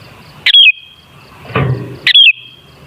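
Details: Sooty-headed bulbul song meant to make other bulbuls sing: two loud, sharp whistled phrases sliding downward, separated by a low rustling sound, echo trailing each phrase.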